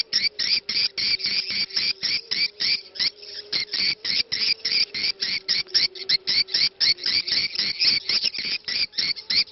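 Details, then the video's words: Swiftlet lure call in the ceklok style, played to attract swiftlets, with faint call to prayer said to be audible; rapid clicking chirps repeated about four per second, with a low steady drone underneath. "SUARA CEKLOK Walet"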